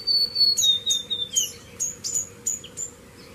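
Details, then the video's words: White-browed (White-rimmed) Warbler, Myiothlypis leucoblephara, singing a long, thin, high whistle that slides slowly downward, then a quick run of short, sharp, very high notes, over a faint low hum. "Cantos Del Arañero Silbón"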